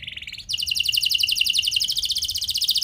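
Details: Canary singing a cengkok mewah lure to prompt other canaries: a short lower trill that jumps suddenly into a higher, rapid, rolling buzzy trill.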